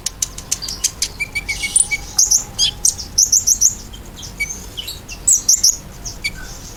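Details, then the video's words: Softer ruby-cheeked sunbird singing, meant to make caged birds respond. Scattered dry ticks and brief high trills come in loose clusters, with thin squeaks between them. "KOLIBRI GACOR! PANCINGAN KOLIBRI NINJA BIKIN KONIN ANDA CEPAT NYAUT"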